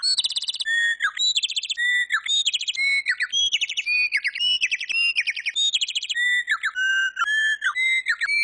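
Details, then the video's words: Talking pet bird singing on request for a happy song, a continuous run of rapid buzzy trilled bursts alternating with clear whistled notes and short upward slides, repeated over and over at a steady lively pace. "Talking Larry the Bird thinks today is a happy day"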